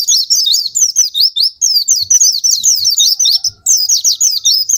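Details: High, rapid, continuous twittering of an Oriental white-eye, played to prompt reluctant caged white-eyes to sing; jumbled squeaky rising and falling notes in quick phrases with barely any pauses.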